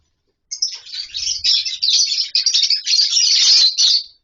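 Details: Several lovebirds in a colony with wooden nest boxes and mud bowls; continuous loud, shrill twittering and chatter, rapid overlapping high notes lasting several seconds without a break.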